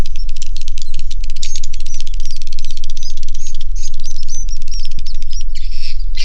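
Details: Inside a swiftlet house, many swiftlets make a rattling stream of fast clicks mixed with thin whistled chirps, steady and unbroken, with a constant deep hum underneath.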